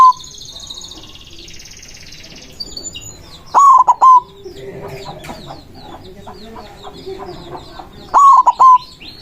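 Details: White zebra dove in manggung song meant to provoke rivals: two loud cooing phrases of a rising note, quick coos and a longer ending note, set amid a busy background of chirping birds and a low steady hum.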